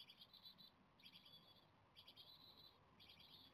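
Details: Japanese tit nestlings on day 17 in the nest, likely to fledge soon, beg for food as the weather turns worse, in high, rapid, buzzy chirring half-second bursts repeated about every second over a low rumble.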